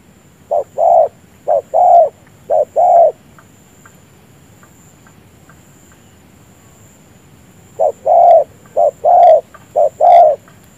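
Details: Decoy spotted dove used to lure wild doves into traps, giving low mellow coos in short-long pairs, three pairs in a run, a pause of several seconds, then three more pairs; faint steady high hum throughout.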